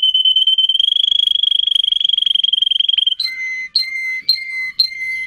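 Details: Canary of the Russian singing type, recorded for song training, rolls a long high trill for three seconds, then switches to steady whistled notes, each opened by a short sharp click, repeated roughly every half second.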